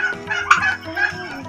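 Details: Five-month-old turkeys giving short, rough, wavering calls, with one sharper yelp standing out.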